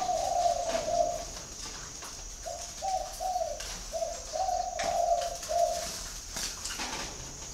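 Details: Spotted dove calling: soft, low hollow coos in short phrases, each note slightly rising then level, repeated about twice a second with brief gaps, over a steady thin high-pitched whine and faint background clicks.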